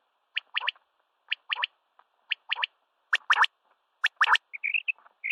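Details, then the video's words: A common quail (Coturnix coturnix) at sunrise gives its liquid three-note 'wet-my-lips' phrase, repeated about once a second and growing louder, with a few thin whistled notes at the end. "CALL COMMON QUAIL (Coturnix coturnix) Common Quail"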